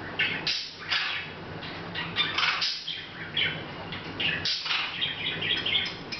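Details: A pet Hahn's macaw babbling unnoticed by the camera, August 10th 2012; a fast run of rough chirps, clicks and raspy squeaks, almost continuous with brief pauses, over a faint steady hum.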